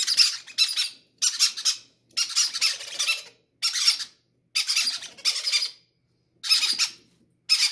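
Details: Baby parrots begging, each pushing to be fed first, greed taken as a sign of healthy chicks; repeated raspy, buzzy squawk bursts with short silent gaps throughout, indoors.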